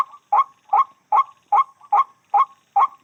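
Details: Short burst of seven hoarse, honking 'wak' notes from a white-breasted waterhen, evenly spaced about every 0.4 seconds, each note a brief, slightly bending croak with a softer trailing tail.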